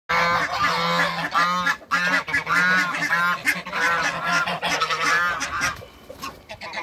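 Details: A pair of Toulouse geese in a backyard give loud, nasal honks in quick repeated bursts, harsh and partly overlapping, over a steady low hum, fading into quieter rustling near the end.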